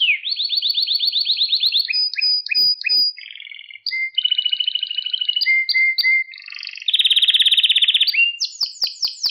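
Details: Canary song used to train young pet canaries: long sequences of rapid rolling trills, clipped repeated notes and pure whistles, a loud fast buzzy roll near the end, then descending sweeps.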